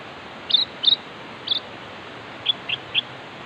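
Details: Sooty-headed bulbul calling to challenge a rival: short, bright chirped notes given singly and in pairs, in two loose bursts about a second apart, over a steady background hiss.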